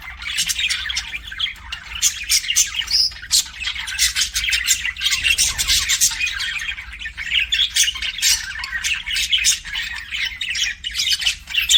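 Budgerigars chattering nonstop, a dense mix of bright squawks, clicks and warbled chirps overlapping from several birds throughout.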